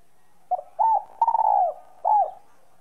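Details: Spotted dove calling in a "son" voice, used to stir up and provoke other doves: a soft, low, hollow phrase of a short note, two longer mellow coos and a brief falling coo, in a quiet room.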